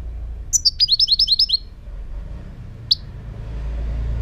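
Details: Song of a European goldfinch: a fast, liquid string of about eight high twittering notes lasting a second, then one lone sharp chirp, against a soft low rumble.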